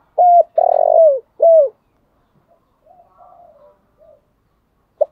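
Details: Spotted dove used as a decoy, calling in the morning: a loud steady coo, a long burred coo sliding down, and a falling coo, followed by softer distant coos from another dove.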